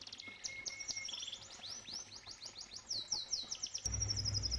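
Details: Canary song beside a koi pond: varied high sweeping notes, a brief flat whistle and quick trills, ending as low pond water noise grows louder.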